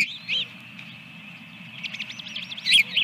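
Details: At Dunrovin Ranch, 24 April 2022, an osprey on its nest with eggs, the second just laid: a loud curved chirp, a pause, then a quick run of high wavering whistled notes ending in a strong squeal, over a low hum.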